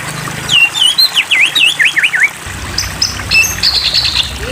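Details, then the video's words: White-rumped shama (Copsychus malabaricus), a territorial bird, in song meant to provoke other shamas: rich, varied whistles, quick down-up sweeps in a fast run, then higher sustained notes, over a low background hum. "Memancing EMOSI Murai Batu Agar Bunyi Gacor"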